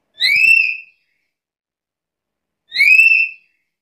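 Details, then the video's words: Pair of strong, slightly rising whistles from a Black-capped lory, rich in overtones, about two and a half seconds apart, no other sounds. "Suara burung nuri kepala hitam gacor isian komplit"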